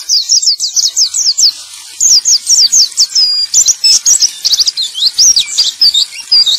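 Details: Male white-eye delivering a high-pitched, fast twittering song meant to prompt other birds to sing: bursts of crisp whistled notes in quick runs, separated by brief pauses.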